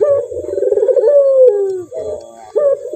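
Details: Rolling, pulsing coo of a male Barbary dove sliding into a long descending note, followed by short clipped coos starting again.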